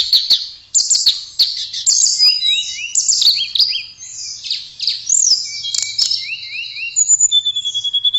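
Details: Tledekan blue flycatcher pouring out a continuous, rich high warble, mixing sharp chips, repeated zigzag whistled trills and slurred notes, ending in a fast run of identical ticking notes.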